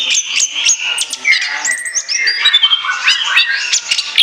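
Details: Orange-headed thrush singing as lure material: a varied medley of squeaky slurred whistles, buzzy notes and quick clicks, rising and falling in tone, loud and unbroken.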